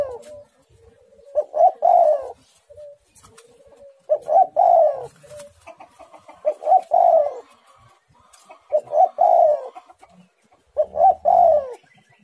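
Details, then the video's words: Spotted dove in energetic song, said to be very vocal: loud hoarse cooing phrases repeated about every two to three seconds, with softer low coos between phrases. "tekukur super gacor suara menekan rapat"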